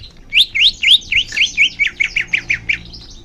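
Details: Leafbird song intended as therapy for young birds: a rapid series of clear rising and falling whistled notes, about four each second, gradually becoming shorter and softer.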